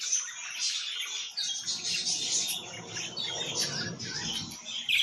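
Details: Budgerigar warbling: dense, continuous chatter of high squeaky notes over a low rumbling background hum.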